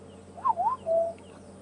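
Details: Black-headed Oriole on an afternoon safari drive at Djuma/Arathusa game reserve on 29 January 2015 gives a single liquid, fluty whistled phrase that dips and rises, then ends on a steady clear note, over a faint outdoor hum.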